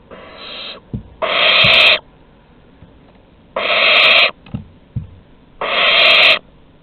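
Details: Barn owls at Théding, August 23, 2020, as an older owl offers its prey to a younger one: harsh, breathy hissing screeches about half a second to a second long, three bursts with short gaps of quiet between them.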